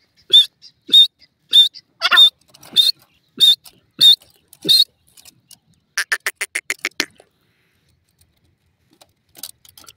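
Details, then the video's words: Caged Irani partridges (teetar) kept for fighting give a loud series of short calls, each with a clear whistled note, repeated about every half second, then a quicker burst of harsher, buzzy notes before quiet. "partridge ladi and awaz"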